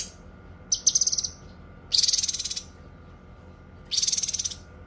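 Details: High, buzzy pulsed trills from a cucak kinoi, kept as tutor and therapy song, three rattling phrases spaced about a second and a half apart with quiet between.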